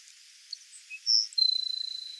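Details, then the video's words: Grassland sparrow (tico-tico-do-campo) singing: a few scattered thin high notes, then a long, high, buzzy trill held on one pitch for most of a second, with a faint hiss behind it. "GRASSLAND SPARROW singing (AMMODRAMUS HUMERALIS), TICO-TICO-DO-CAMPO"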